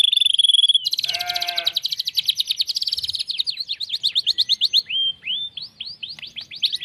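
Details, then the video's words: White-rumped shama (murai batu) opening with a sustained high whistle, then a fast rattling run of repeated notes, slowing into a series of separate sweeping whistles. "murai faighter mental juara"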